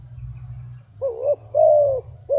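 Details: Two or three drawn-out, mellow coos from a wild dove, the middle one longest, following a moment of low hum only.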